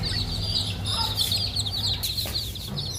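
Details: Chicken chicks, baby hens playing with eggs, give a dense stream of high, thin peeping chirps, many birds overlapping continuously through three seconds with a steady low hum beneath.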